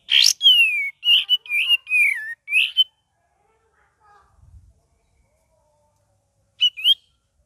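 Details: Cream-vented bulbul singing gacor with ngeriwik variations: a sharp chip leads into a rapid chain of slurred, wavering whistles over about three seconds, then silence and a brief two-note phrase.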